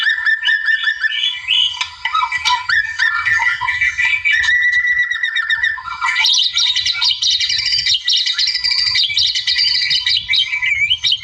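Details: Wild white-rumped shama pouring out a vigorous challenge song to a rival, first mellow mid-pitched warbling, then an intense high, dense chatter of overlapping chirps and trills.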